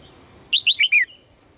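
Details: Red-whiskered bulbul, a female calling to attract a strong male, delivers four loud chirping notes in quick succession, each lower than the last, then falls quiet against a steady thin whine.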